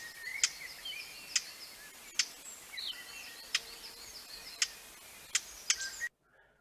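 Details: Eurasian blackcap (Sylvia atricapilla) in Essex giving about eight hard, dry 'tac' calls, like two pebbles knocked together, spaced irregularly about a second apart, with faint twittering from other birds behind.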